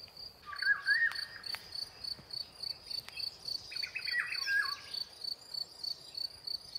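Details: European bee-eaters in spring on the Iberian peninsula, newly arrived after their long migration and in full breeding season, among flowering white rockrose. Rolling, liquid trilled notes come in two bursts, over a steady high insect buzz.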